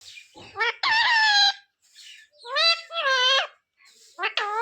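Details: Parrot talking, taught to say phrases such as sita-ram and jay shree ram; three loud, harmonic, word-like syllable groups separated by short pauses, a nasal tone drawn out on each, in a quiet room.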